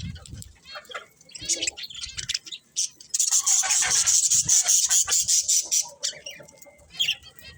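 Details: Budgerigars chirping: dense bursts of high, scratchy chatter and squeaks, loudest and most continuous in the middle stretch, with fainter warbling before and after and a few low thumps.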